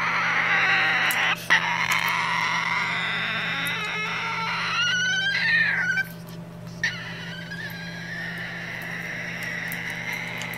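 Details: A pet cockatoo indoors gives long, harsh, creaking screeches that waver and slide in pitch like a slowly opening door, with a steady hum underneath, while its owner complains it is being loud.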